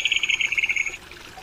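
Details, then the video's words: Crested kingfisher, Megaceryle lugubris, giving a fast rattling call of about a dozen harsh, evenly spaced notes over one second, pitch dipping slightly toward the end, then stopping abruptly; quiet background. "冠魚狗/Crested Kingfisher"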